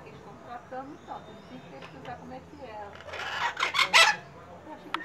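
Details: Maitacas (Pionus parrots) making a noisy din at a house in Santa Maria Madalena, Rio de Janeiro, Brazil, on 26 January 2014. Faint chatter builds into a loud cluster of raspy, grating shrieks near the end, then fades.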